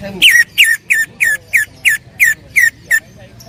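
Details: Greater green leafbird (cucak ijo) singing loudly in full 'tembakan' bursts: nine loud, harmonic-rich whistled strokes, each sliding sharply down and then levelling, repeated about every third of a second in a steady run.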